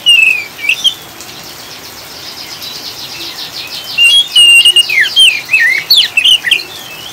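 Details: Oriental magpie-robin chattering in ngriwik style, mixed with rain to settle birds; a whistle opens, followed by soft buzzy rasping, then a loud burst of twisting whistled notes and chatter, rain hissing throughout.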